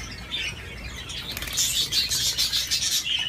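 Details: Budgerigar on a swing: soft warbled chirping, then a burst of wing flapping mixed with brighter, louder squeaky chatter.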